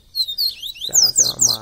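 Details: Double-collared seedeater in captivity giving a short run of clear, high descending whistles, overlapped by a man speaking.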